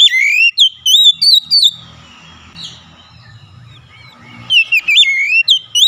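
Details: Oriental magpie-robin song intended to stir other magpie-robins into full voice: loud, rolling whistled phrases, a quieter stretch with low murmuring background noise, then a fresh run of bright, slurred notes.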